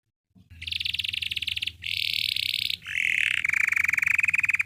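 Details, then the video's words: A Belgian canary sings rapid, buzzy trills in bright high phrases, then shifts to a lower rolling trill, over a faint low hum. "Belgian canary singing makes your canary sing"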